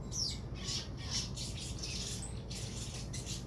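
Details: Sogon bird giving harsh, squawky high-pitched bursts in quick irregular succession, about one per second, over a steady low hum.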